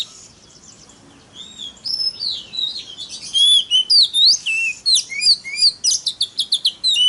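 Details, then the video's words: Oriental magpie-robin (kacer) lure song to provoke rival birds: quiet start, then clear rising and falling whistled notes building into fast, rhythmic chirping phrases about three per second. "PANCINGAN- BURUNG KACER TERBAIK AMPUH MERANGSANG EMOSI KACER LAIN BIAR TAMBAH GACOR"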